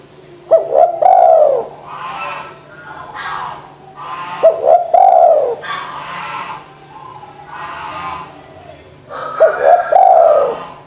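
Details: Spotted dove coo played to make lazy doves call, repeated in phrases every four seconds, each a double-noted rounded hoot falling slightly, with fainter noisy chirps from other birds filling the gaps.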